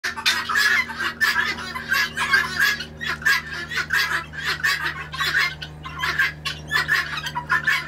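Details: Helmeted guineafowl, part of a flock of about 20 that regularly visits a deck in Lovettsville, calling noisily in the morning: loud, harsh, rapidly repeated grating notes overlapping from several birds, steady low hum beneath.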